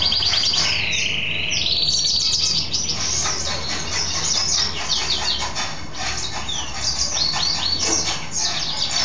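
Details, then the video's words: Caged male mule goldfinch singing after a bath, keeping on until late evening; a long whistled note opens into rapid, varied twittering phrases, buzzy trills and quick sweeping chirps. "Mule Goldfinch happy hour"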